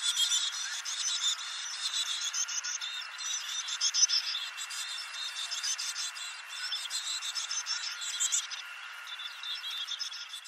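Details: Hungry Black-capped Chickadee nestlings in a backyard nest box, fed by both parents, keep up a dense, high, hissing and chittering begging chorus that swells and fades in waves over a faint steady hum.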